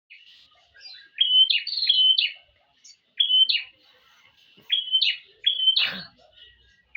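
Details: Female prinia calling to a male, giving loud, sharp chirps. Bursts of high, slurred notes come in clusters of two or three at roughly one-second intervals, with short quiet gaps and a faint soft thump near the end.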